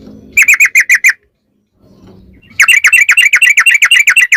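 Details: Lure song of a yellow-vented bulbul: a run of six crisp chirps, a pause with low background murmur, then a fast, steady rolling chatter of bright notes.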